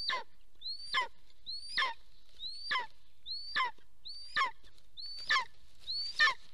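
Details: A nesting golden eagle pair in southwestern Estonia's Soomaa National Park on 1 April 2024, mid-morning, with the male arriving. Eight high, whistled yelps climb and then drop steeply, spaced roughly every 0.8 seconds, clear against near silence.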